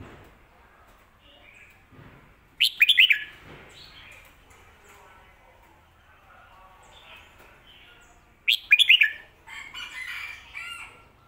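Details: Red-whiskered bulbul performing the popular 'Phat Kuai Tiao' master song, with two short, lively whistled phrases roughly six seconds apart and quieter chattering notes around them.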